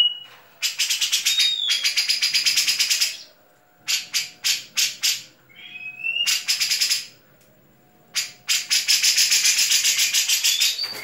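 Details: National champion grey-cheeked bulbul (cucak jenggot) singing with fighting-sparrow fill phrases: long bursts of rapid buzzy chattering trills broken by a few clear whistled notes and brief pauses.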